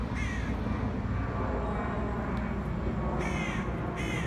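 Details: Black crows attacking a pigeon: three harsh, nasal caws, one early and a close pair near the end, over a steady low rumble of traffic-like outdoor noise.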